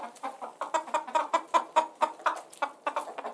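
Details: Chickens giving an even stream of short, mid-pitched clucks, repeated roughly every fifth of a second in a steady pulsing rhythm.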